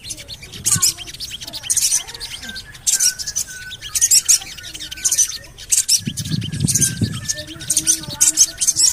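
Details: Lure audio of a Javan cochoa meant to prompt other birds to sing: clusters of piercing high chirps repeated roughly every second, with thin whistled notes and a brief low rumble midway.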